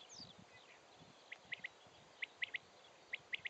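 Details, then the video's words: Common quail (Coturnix coturnix) male courtship call on 21 June 2011, liquid three-note 'wet-my-lips' phrase repeated three times about once a second, another quail answering in the background, over soft rural hiss; finding: common quail. "WACHTELSCHLAG - BALZRUF DER WACHTEL"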